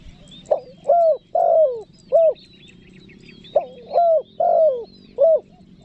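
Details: Spotted dove giving its luring call and pressing coo, meant to draw wild forest doves. Two matching phrases of four notes each: a brief opening note, then mellow cooing notes that swell and fall, the third drawn out longest.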